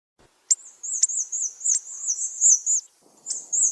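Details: Hawfinch calls used as a hunting lure: a few sharp clicks, then a thin, very high, wavering trill that runs unbroken for over two seconds and resumes after a short pause.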